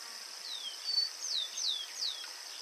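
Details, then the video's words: Yellow cardinal singing a run of four clear, down-slurred whistled notes spaced roughly half a second apart, carried over a steady high-pitched insect drone. "CARDEAL AMARELO"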